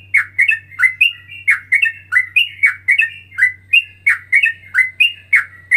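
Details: Straw-headed bulbul singing a ropelan variation, a style combining Cucak Rowo and Cucak Jowo (trucukan) phrasing: loud, rapid bubbling whistled notes in steady bursts with a low constant hum underneath.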